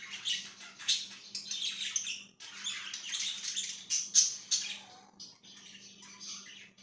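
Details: Pet budgerigar chirping indoors, recorded 5/10/2023: dense, scratchy warbling chatter in bursts with brief pauses, plus a faint steady low hum in the room.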